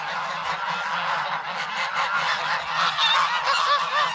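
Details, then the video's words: Grown young geese, hungry and noisy, in snow at Sloterpark, Amsterdam, in February, crowding a person for bread; a dense chorus of harsh overlapping honks runs continuously throughout. "Geese in the Snow"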